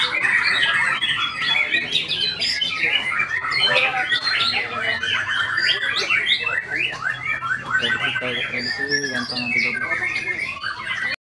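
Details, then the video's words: White-rumped shama in full song, a long, dense chatter of quick whistled and squeaky notes leaping up and down in pitch, with a low murmur of voices behind. "IN ACTION MURAI BATU SAKTI"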